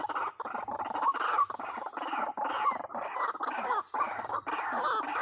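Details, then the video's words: Lure call of white-breasted waterhen, played to draw birds in quickly: a continuous run of rough, throaty croaks in quick succession, loud and overlapping, with brief gaps between bursts. "suara pikat ruak ruak ini membuat ruak ruaknya cepat datang/auto gacor"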